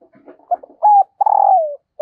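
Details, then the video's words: Calling female dove trying to stir a male. Soft mutterings lead into a clear level coo, then a long purring note that drifts lower, with a fresh coo starting at the end. "Tiếng Chim Cu Mái Kích Trống, Bổi Nghe Rất Nhanh Nổi"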